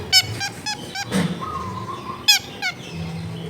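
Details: Long-tailed shrike sounds used as a lure to make lazy shrikes sing, recorded in a densely populated neighbourhood. Bursts of harsh, harmonic-rich notes open and close the passage, with a low grunt and background noise between.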